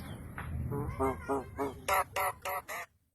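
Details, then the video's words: A talking Javan myna, which utters Indonesian phrases like "Bikin kopi" and "Asalamualaikum" nearby, gives about eight harsh, nasal, speech-like syllables in roughly three seconds, the last four louder and hoarser. "jalak kebo ngomong"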